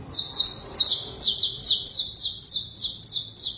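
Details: Canary giving a fast, high, buzzy trill: sweeping notes repeated about three times a second, running steadily and evenly with little background noise.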